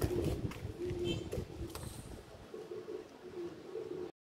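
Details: Low, throaty coos from a black fantail pigeon come in short repeated phrases, partly masked by rustling and handling noise early on, then clearer toward the end over a quieter background.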